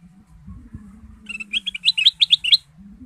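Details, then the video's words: Male goldfinch (kutilang emas) in full chattering voice, used as a lure to set other birds singing: a quick sequence of about twelve bright, slurred high twitters over a steady low electrical-like hum. "kutilang emas gacor dan lincah pancingan ampuh dengan suara merdu"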